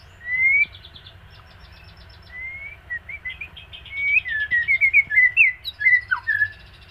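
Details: White-rumped shama in moult singing: an opening rising whistle, then a quick run of varied whistled and chipped notes, slurred up and down, growing denser and louder toward the end, faint low hum beneath.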